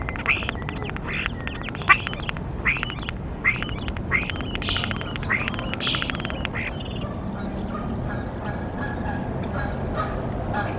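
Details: Bald eagles at the Decorah nest in the early morning of 23 February 2021: a run of about eight loud, harsh chittering notes over six seconds, each with a sharp rising-falling shape, then fading into a steady background rumble.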